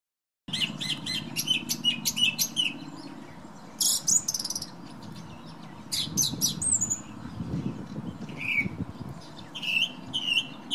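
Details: A thrush sings outside a bedroom window, as it does every morning, on a windy day: varied high phrases of quick notes and trills, some clear whistles in between, over a steady low roar of wind.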